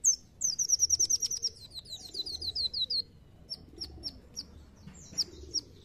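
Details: Brown-throated sunbird song used as a lure to make other birds sing: a rapid run of sharp, high, downslurred chirps for three seconds, then scattered single high notes and a few squeaky twitters.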